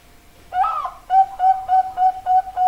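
A zebra dove gives a soft, drawn-out opening coo, then a quick, even string of about seven short, mellow cooing notes, four a second.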